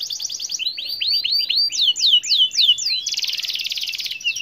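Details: Domestic canary singing vigorously to encourage other canaries to join in: a quick buzzy trill, then a series of loud, downward-sweeping whistles, ending in a dense high rattle.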